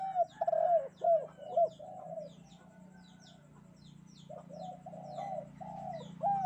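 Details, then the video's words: Spotted dove on a bright morning, cooing in a loud run of short, hoarse, arched notes, then softer drawn-out coos after a pause, with faint high chirps of small birds and a steady low hum throughout. "burung derkuku kuk 2 gacor"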